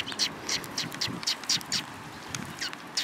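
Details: Several sparrows near a bridge on the afternoon of 31 March 2022, giving short, high chirps in quick, uneven succession through the whole stretch, with a faint low outdoor rumble beneath.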